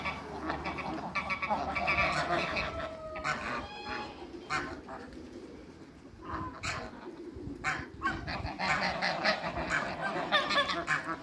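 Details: Eight Toulouse and African domestic geese on meeting new geese: a dense, overlapping chorus of nasal, harmonic honks runs almost without pause through the whole stretch, several birds calling at once.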